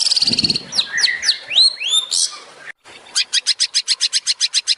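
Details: Long-tailed shrike song, presented as a master recording for training songbirds in the tembakan style. High, varied phrases: a buzzy trill, then sliding whistled notes that rise and fall, then a rapid run of sharp repeated notes after a brief gap.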